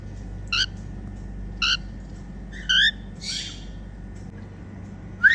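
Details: Female cockatiel making happy sounds: short harmonic chirps spaced about a second apart, then a rising whistle at the end, over a low steady hum.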